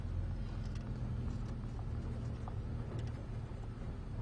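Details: Low droning car engine on a morning safari drive, with a few light clicks and no animal calls.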